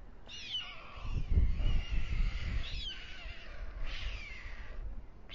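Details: White stork nest at dusk in Alcalá de Henares, Spain, where a breeding pair nests on the town hall tower; the male is feeding two chicks. Several hoarse, hissing calls sweep downward, over a steady low rumble.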